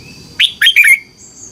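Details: Caged red-whiskered bulbul from Thailand, song used for training or rousing birds: a short phrase of three rapid, liquid, downward-slurred whistles against a faint continuous high hum.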